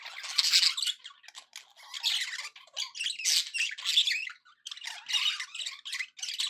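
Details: Domestic budgerigars in a cheerful mood chatter in bursts: scratchy, buzzy warbles and squeaks arriving in clusters roughly every second, separated by tiny gaps.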